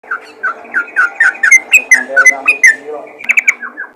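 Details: Yellow-vented bulbul calling to other bulbuls: a quick run of bright, slurred whistled notes, each dropping in pitch, repeated about every third of a second for four seconds, with a short burst of sharper notes near the end.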